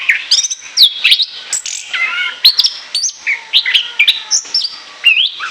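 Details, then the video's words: Chattering ngoceh ngeplong song of an orange-headed thrush, prepared as a lure. Varied sweet whistles leap up and down in pitch, with quick rhythmic chips about three per second between longer slurred phrases. "ANIS KEMBANG NGOCEH NGEPLOOONG"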